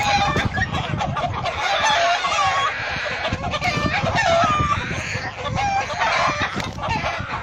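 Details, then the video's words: Hen protecting her chicks from a falcon or hawk; dense, harsh clucking with short, high chick peeps scattered throughout and steady background noise across the whole recording. "chicken protects baby's from falcon hawk, Gallina protégé a sus bebes de gavilan halcon"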